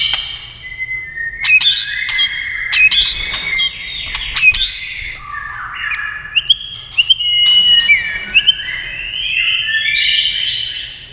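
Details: Shama song encouraged by tail-tapping sounds: bright whistled notes stepping up and down in pitch, rapid chirped flourishes and sharp clicking taps scattered across the phrases.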